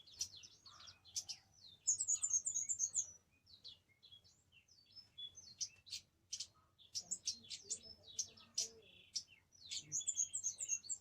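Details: Orange-headed thrush singing a fast, varied song of high twittering and whistled phrases, with bursts of rapid trills around two seconds and again near the end, separated by brief quieter gaps.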